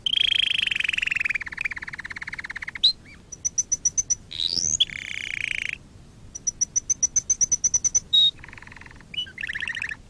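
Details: Canary singing as a lesson for canaries: a long descending buzzy roll, a rising whistle, rows of crisp high ticks, and short burry rolls between brief pauses.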